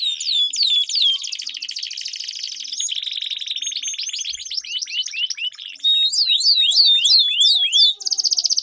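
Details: Canary song, a duet of birds used as a training lure for competition birds, with long rolling trills: rapid repeated high upswept notes about three per second, buzzy sustained rolls, and a closing run of quick stuttered notes.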